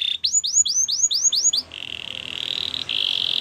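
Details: Canary singing for training other canaries. Seven clear descending whistled notes lead into a long, steady, buzzy trill over faint background hiss.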